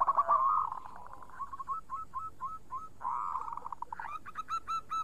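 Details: Local zebra dove, used as a lure to prompt other doves to sing, with a clear voice. It gives a rich warbling coo, then rapid staccato clipped notes, another rolling coo, and a final run of ringing repeated notes.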